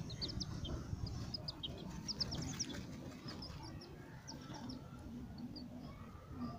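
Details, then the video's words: Playing White Leghorn chicks peep rapidly, with bursts of brief high chirps clustered in the first three seconds and again later, set against constant low-pitched background rumble. "White leghorn chicks playing."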